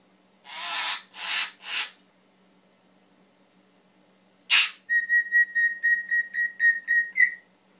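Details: Captive male Timneh African grey parrot, taught to cough, gives three breathy cough-like rasps, a sharp sneeze-like burst, then a rapid run of about ten even whistled pips ending in a rising note.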